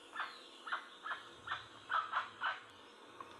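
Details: Jacu or jacuaçu guan uttering six or seven hoarse honks in just over three seconds, the middle ones loudest, against a quiet background.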